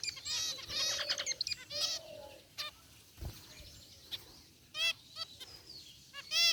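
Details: Several zebra finches, white and gray, resting and chirping in their aviary cage: nasal, honking beeps with rich overtones, a cluster near the start, then scattered single beeps and a loud pair at the end.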